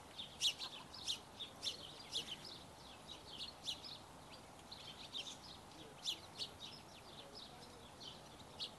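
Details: Barn swallow chicks being fed by their parents: rapid, high, scratchy chirps repeated about twice a second, sharp twittering notes rising and falling in intensity over a faint steady background hiss.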